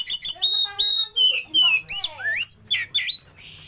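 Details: Oriental magpie-robin singing varied fill-in (isian) material, tail opened: rich, reedy harmonic notes at first, then thin whistles and fast rising swoops in a bouncing rhythm of roughly three notes a second.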